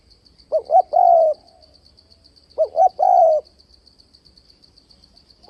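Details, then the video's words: Decoy spotted dove used to draw wild doves into traps, cooing in a varied voice: two short rising hoots then a long sliding coo, phrase repeated about every two seconds, with a constant high insect buzz behind. "Tiếng cu gáy kích bổi bẫy đấu ,//tiếng chim cu gáy đảo giọng kèm bo liên tục"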